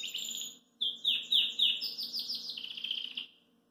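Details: A relaxed Belgian canary sits at a kitchen sink and sings a bright, rapid string of high trills and chirps, with slurred notes and quick repeated phrases, over a faint low hum.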